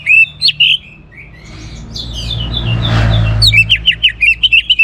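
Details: Orange-headed thrush from Singaraja, Bali, giving clear chirped notes, a soft rasping passage, then a fast run of short, sharp, evenly repeated notes that ends the phrase.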